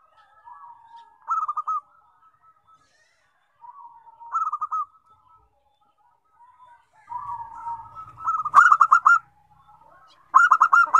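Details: Local zebra dove song that sets other zebra doves singing: several soft cooing phrases, each rising into a rapid rolling trill, with brief pauses between them. The last two phrases are louder and more vigorous.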